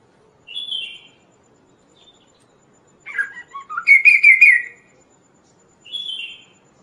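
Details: Kaso-kaso bird in full song for training and trapping: isolated high slurred whistles, then a burst of chattering, buzzy notes rising into a rapid rattling trill, then another high whistle.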